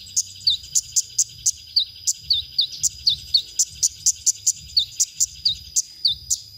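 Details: Konin song as masteran for songbird training: evenly spaced piercing chips interleaved with brief hooked, downslurred whistles, a steady pulsing pattern over faint low background noise.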